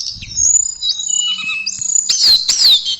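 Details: Sustained high whistles and sweeping slurred notes from a tledekan, a blue flycatcher, ending in quick descending whistles, with a faint low hum and soft rustling.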